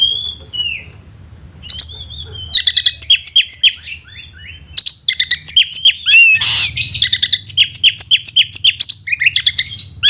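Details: Oriental magpie-robin kept in a cage singing long energetic bursts of rapid chips and whistled slurs, broken by a harsh noisy rasp midway.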